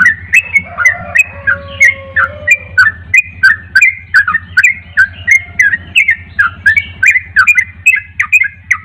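Yellow-vented bulbul giving a lively, bubbly run of short gurgling notes, about three each second, over a faint low hum.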